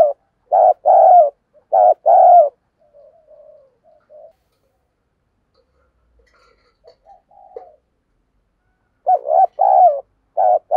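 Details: Decoy dove cooing to stir up wild birds, "thúc gù" style: bursts of short two-part coos, then a long pause with faint, soft murmuring notes, before the paired coos resume rapidly near the end.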